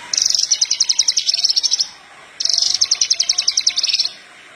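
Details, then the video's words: Horsfield's bush lark of the parva form, singing vigorously, used as a lure recording to train young larks: two bursts of rapid, evenly pulsed high chirps, each lasting almost two seconds, separated by a short silence. "Branjangan parva gacor pas buat pancingan branjangan bahan"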